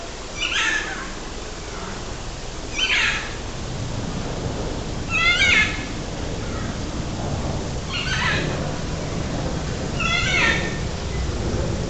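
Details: Aviary macaws at Parque das Aves near Foz do Iguaçu in Paraná, Brazil, letting out five loud, raucous squawks spaced about two to three seconds apart over a low rumbling background.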